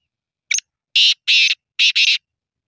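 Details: Black francolin calling: one short scratchy note, then a pause and four loud, harsh, grating bursts in quick succession, the last two nearly joined, all fairly high-pitched and rasping against an otherwise silent background.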